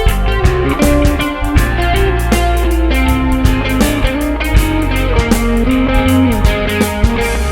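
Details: Strummed guitar rock music plays throughout, with no animal voice heard.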